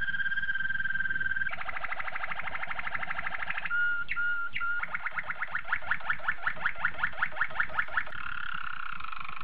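A Malinois canary sings a steady rolling trill, a few clear whistled notes, then a bubbling pulsed series at about three notes a second, over a low background hum.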